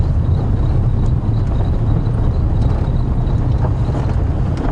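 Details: Steady low engine rumble of a safari vehicle at sunset, with wind buffeting the microphone and no animal calls.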